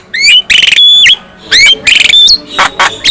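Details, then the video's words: Short Javan myna phrases meant to get other mynas singing and worked up: bursts of buzzy rattles mixed with ringing upslurred whistles, separated by brief pauses. "Kicau Khas Jalak Kebo | Bikin Jalak Kebo lain ikut Gacor dan Emosi bila mendengar suara jalak ini"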